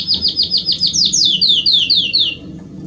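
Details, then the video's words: Belgian canary singing to warm up other canaries: a brisk series of sharp downward-sliding high notes, repeated rapidly, then a few longer slurred descending notes before the phrase fades. "Canário Belga Estourado esquente seu canário belga em 30 minutos"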